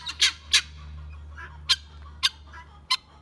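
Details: Guineafowl giving loud, harsh, broadband squawking bursts, two close together then three more spaced irregularly, each short and rasping over a quiet background with a low steady hum.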